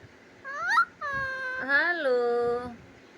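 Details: Parrot talking, said to repeat the words "Radhe Radhe" and "mittu"; two clear voiced, speech-like phrases, the first short and rising, the second longer, level and then gently falling, against a quiet background.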